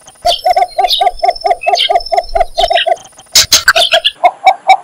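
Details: Cinnamon bittern (Ixobrychus cinnamomeus) calling: a fast run of hollow clucking notes, about six a second, then a harsh rustling burst and a few slower notes, with faint chirps from other birds.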